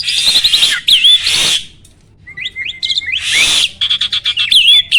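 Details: Starling song played to make other birds answer in competition: harsh noisy bursts mixed with whistled slurs, a brief quiet spell, then a low steady whistle and rapid clicking chirps.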